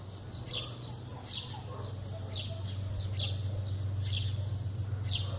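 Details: A rusty-collared seedeater (coleiro pardo) sings a "mateiro"-style song used as a tutor recording for young birds, repeating sharp, high, down-slurred notes about once a second over a steady low hum.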